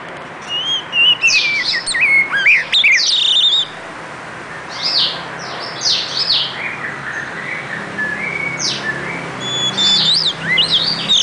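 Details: Oriental magpie-robin delivering varied phrases of scratchy bursts and clear whistled notes, with a pause in the middle before softer, more scattered whistles resume.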